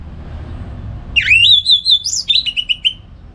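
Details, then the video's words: Morning 'ngeplong gacor' from an orange-headed thrush kept at home in North Bali, used as a lure and master: a rising whistled opening flowing into a warbled phrase that climbs high, then ends in quick falling notes. "ANIS MERAH Ngeplong Gacor"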